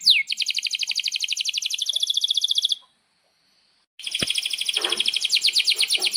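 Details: Lively canary singing a long rolling song, used to tutor young canaries learning to sing and canaries that have stopped singing: fast, even high trills of repeated notes for almost three seconds, a short silence, then another rapid rolling trill.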